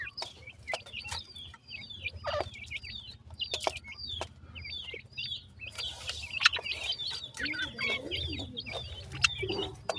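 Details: Several black francolin chicks call with high, wavering peeps in fast strings of downslurred chirps over a steady low hum. Occasional clicks and taps break in, and the peeps blur into a rustling patch near the middle.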